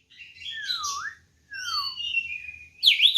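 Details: White-rumped shama fighting song used to provoke rival birds: long slurred whistles dropping in pitch, a sustained wavering whistle, then a sharp bright burst at the end, with faint low background hum.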